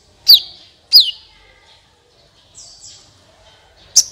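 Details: Sunbird song used as a lure to get other birds singing: sharp, high downward-sweeping notes with short buzzy tails, three main bursts spaced by long pauses, plus faint thin whistles between them.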